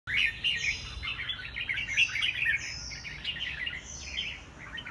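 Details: White-rumped shama, a caged bird in a singing contest, with a continuous run of varied chirps and warbled phrases and some longer whistled notes, against steady background noise.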